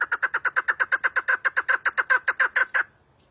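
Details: Chukar partridge giving a fast run of about twenty-two clucking chuk notes at a steady pace over nearly three seconds, each note husky and mid-pitched, stopping abruptly into silence.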